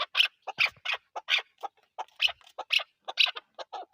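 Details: Chakor or chukar partridge, national bird of Pakistan, with spaced, sharper and higher clucking notes in irregular bursts, some louder than others, in an otherwise quiet setting.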